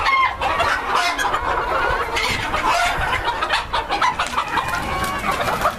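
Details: Breeder flock of White Silkie bantams, many birds giving overlapping clucks and brief higher squawks in a constant, busy barnyard hubbub.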